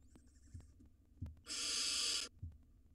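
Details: Barn owl nestling, wild, inside a monitored nest box during rodent feeding; soft taps and a faint thin tone precede one loud, rasping hiss of nearly a second.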